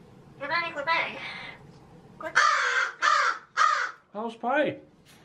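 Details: A pet magpie named Pie, in a cheeky mood, mimics human speech in short voice-like phrases broken by harsh, rasping chatter bursts; the room is otherwise quiet.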